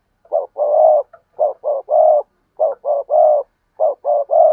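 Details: Spotted dove cooing: phrases of two or three short soft coos rising into a longer, fuller hollow coo, repeated about every one and a quarter seconds, low-pitched and clear against a quiet background.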